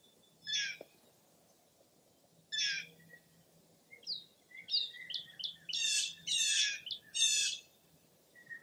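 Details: At Mirror Lake State Park, Wisconsin, on a foggy early April dawn, a wild bird gives two spaced bright notes, then a quickening sequence of sharp chirps building into loud, buzzy high phrases.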